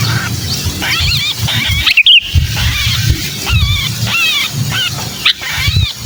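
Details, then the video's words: Distressed sooty-headed bulbul, used as a lure for bulbuls that rarely come down: repeated harsh, chevron-shaped squawks in quick succession, a loud click near the second mark, over a low background hum. "Suara pikat burung kutilang kejepit"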